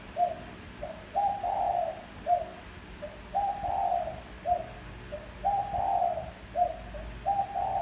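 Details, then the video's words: Spotted dove giving its coo as a lure for wild doves: mellow low-pitched phrases, each a short note, a longer rolling coo and a clipped end note, about four phrases at an even pace over a faint hum. "Tiếng chim cu gáy gù gọi hay cực chất dùng kích bổi gù kich mồi"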